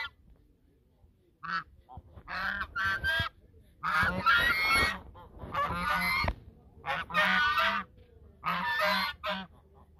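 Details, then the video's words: Geese at the mouth of the Sosúa river calling in duet honk back and forth in loud, nasal bursts, several voices overlapping in rough clusters about every second or two, with faint background hum. "El canto de los gansos"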